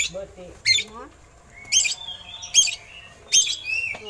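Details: Kacer, or oriental magpie-robin, in eagle-imitation song used to tutor other cage birds: sharp harsh bursts recurring roughly every second, mixed with short clear whistles and lower chattering notes near the start.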